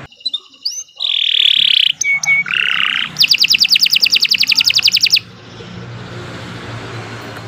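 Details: Canary singing for use as a tutor recording: harsh buzzy phrases and short whistles, then a rapid bright trill lasting two seconds, ending in soft hiss.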